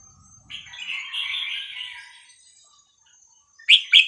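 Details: A young wild Vietnamese red-whiskered bulbul, played to train chicks, gives a bubbling, warbled phrase lasting about two seconds, followed after a pause by two sharp, bright chirps.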